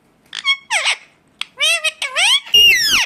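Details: {'caption': 'Indian ringneck parakeet chattering: soft clipped notes, then a run of wavering, harmonic-rich squawks ending in a long, loud, falling screech.'}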